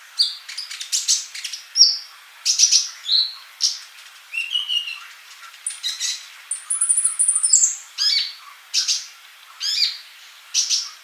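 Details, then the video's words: Sunbird (kolibri) singing vigorously in a keepers' training recording: long, varied sequence of shrill chirps, twitters and thin high whistles, including one sustained high whistled note midway. "MASTERAN UNTUK BURUNG COLIBRI GACOR"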